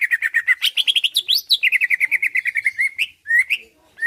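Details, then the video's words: Greater green leafbird (cucak ijo) singing to draw a reply and fighting: a dense string of quick chirps, a brief climbing flourish, then more rapid even notes ending in scattered slurred whistles. "Cucak ijo lain liat dan dengar kicauannya bakal nyaut+gacor+tarung"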